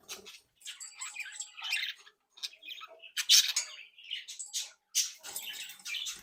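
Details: Home-bred captive budgerigar flock, playful and active, producing continuous warbling chatter of buzzy notes, squeaks and harsh squawks, rising and falling in loudness with brief gaps, indoors.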